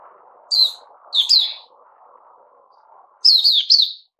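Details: A caged Puteh Raja bulbul gives brief sharp chirps, then a longer warbling phrase, over a soft low background hum.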